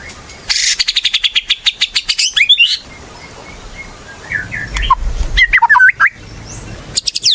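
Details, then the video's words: White-rumped shama in active song, used to lure shamas into singing: a long fast rattling trill of evenly spaced notes, a pause, then varied whistled slurs and sharp downswept chips. "Murai Batu Gacor | AMPUH buat PANCINGAN Murai Batu Agar Bunyi"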